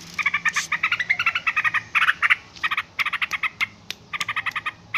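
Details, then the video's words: A noisy yellow-vented bulbul with quick stuttering chirps in uneven bursts, some notes sharper and brighter, and brief gaps between groups. "suara trucukan ribut"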